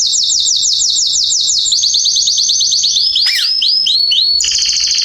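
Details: Canaries in a garden during September 2020 deliver loud continuous song: fast repeated downward-sweeping whistles, shifting to slower looping slurs, then a high steady trill.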